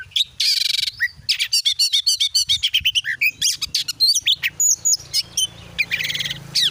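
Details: Oriental magpie-robin song serving as a lure for a kept bird: buzzy trills, rapid rattling chips and looping whistles in quick succession over a faint low hum.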